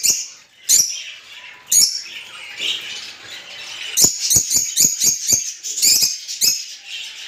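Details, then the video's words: Rosy-faced and Fischer's lovebirds giving mating calls meant to stimulate breeding: sharp, high shrill chirps at irregular intervals over a steady bed of high, hissy chattering, with a quick run of clipped chirps in the second half. "أقوي صوت لتزاوج طيور الروز والفيشر"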